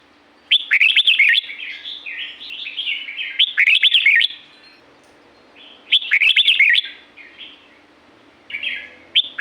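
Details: Red-whiskered bulbul from La-u forest, Thailand: three loud, quick, bubbly warbled phrases about three seconds apart, each with sharp clicks. Softer chattering phrases fill the gaps over a steady low hum.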